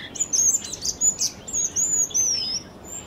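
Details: Jerdon's bush lark (Plocealauda affinis) in Kerala giving a rapid series of high, thin whistled and chirping notes, about eight short phrases in three seconds, some sliding slightly downward, over quiet background.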